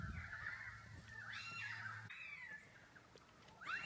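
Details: Currawong calling loudly in the background in winter, a bird that leaves for the west in summer; strong ringing, wavering tones with rising and falling slurs, a low steady hum underneath around the first two seconds.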